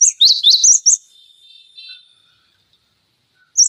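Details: Cinereous tit tutor song for training other songbirds: a brief run of sharp, high, quick chirps, then a faint thin trailing tone and a single chirp after a pause.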